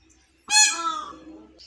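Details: Village peahen calling out because she cannot see her peacock, who sits nearby: a single loud, nasal, harmonic-rich honk about a second long that starts abruptly and fades, in otherwise quiet surroundings.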